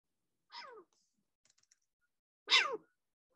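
Short-eared Owl giving two harsh, cat-like calls that slur sharply downward, spaced about two seconds apart, with faint clicks between.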